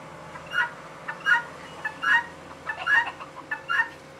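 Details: Female guineafowl calling: a short note followed by a longer, harsher two-part cry, the pair repeated roughly every three-quarters of a second, with a steady faint hum behind it.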